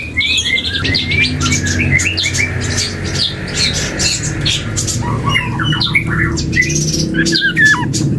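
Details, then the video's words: Juvenile black-and-yellow oriole still learning to sing: scratchy, squeaky chatter and thin whistled slurs come in loose bursts over a steady rumbling hum in the background. "KEPODANG HUTANG muda||belajar ngoceh"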